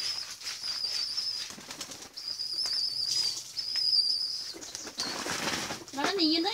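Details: Pigeon chicks begging for food with drawn-out, thin, high wheezing cries in several long bursts, separated by rustling and brief flutters.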